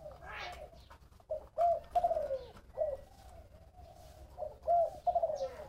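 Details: Low, soft cooing of a spotted dove in the 'thổ bầu' voice, two phrases of several hollow notes each sliding down at the end, with a faint rustle at the start.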